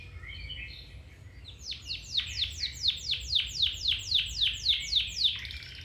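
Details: Domestic canary song meant for training other canaries: a few quiet twitters, then a loud, even series of about a dozen steep downward-swept whistled notes repeated roughly four times a second.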